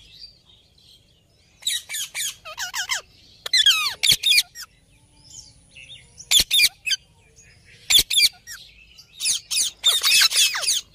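Ring-necked parakeet giving harsh, high squawks and chattering notes in uneven bursts, some rapid and rolling, with short pauses between.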